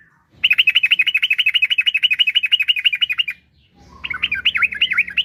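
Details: Long rapid song of a yellow-vented bulbul, meant to spur other kept bulbuls into singing: about thirty even, bubbling notes in a steady three-second run, a short gap, then a more varied warbling phrase over low background noise.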